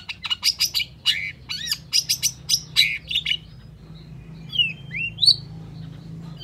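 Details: Long-tailed shrike's gacor song, a lure recording for shrikes that won't sing: rapid chattering series of sharp chirps and curved whistles, easing into a few drawn-out, sliding whistled notes.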